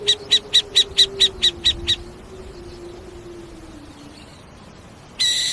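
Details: Owl giving a rapid, evenly spaced run of about nine short high piping notes, then quiet with a faint low hum, ending in a harsh burst.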